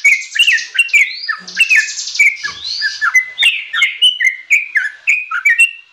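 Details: Sooty-headed bulbul youngster, recorded as varied tutor song for songbirds: scratchy, sweeping whistles at first, settling into a regular chain of bouncy, downslurred liquid notes.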